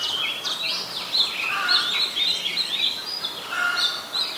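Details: Oriental magpie-robin in Ubon Ratchathani, Thailand, 26 December 2020, singing a rapid flow of looping whistled notes and slurs, with some lower mellow tones mixed into the continuous high warbling.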